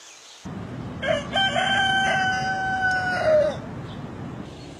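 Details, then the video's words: Rooster giving a single extended crow: a brief rising onset, then a steady, strongly harmonic held note lasting over two seconds that falls away at the end, set against constant low background noise. "صوت الديك( Rooster voice)"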